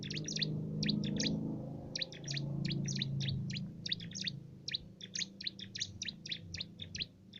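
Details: Small, lively cimblek singing the canary-style tutoring song for contest birds: a long, steady run of rapid high chirps, about four per second, over a low background hum.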